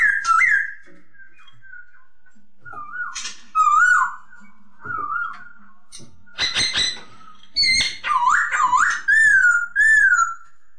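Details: Masked laughingthrush song: mellow slurred whistles dipping and rising in short phrases, harsh crackling bursts midway, then a run of loud rolling, looping whistles near the end, heard indoors.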